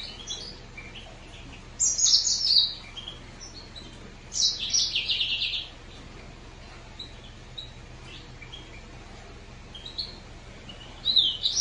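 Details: Green singer finch giving short spaced bursts of high chirping song, a couple of fast buzzy phrases several seconds apart, with soft notes in between.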